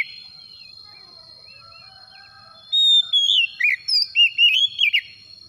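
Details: Oriental magpie-robin song played to coax a silent kacer into full song: after quiet faint notes, a loud burst of bright whistles and looping slurred phrases lasting about two seconds, with a steady high hum throughout.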